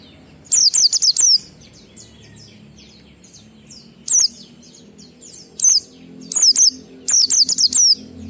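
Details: Ngalas-style song of an Oriental white-eye in a 12345-beat pattern, played to make other white-eyes sing: a quick run of four high, downslurred squeaks, scattered single notes, then runs of three and four, over faint chattering.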